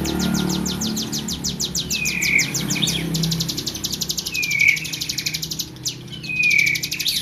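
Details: Tame hill prinia singing hard: a continuous rattling series of high, clipped downward notes, with short buzzy slurred phrases in between over a noisy low background.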